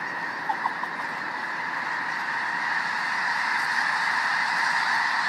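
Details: Snow geese in South Dakota, one of the largest flocks the recordist has found; a steady wall of countless overlapping goose calls, a few clearer nearby notes near the start.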